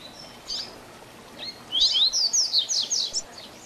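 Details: Double-collared seedeater giving a 'tui tui zel zel' training song for young birds: two soft introductory notes, then a dense, fast rush of high, sweeping whistled notes lasting about one and a half seconds.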